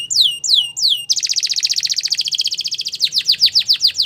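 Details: Belgian canary singing: three slow descending whistled notes, then a long fast rattling trill of rapid repeated syllables, ending in louder sweeping notes repeated about five per second.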